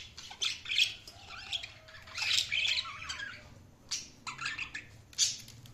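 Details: Feeding budgerigars produce rasping squawks and chirps in irregular bursts, loud clusters separated by quieter gaps, a soft hum underneath.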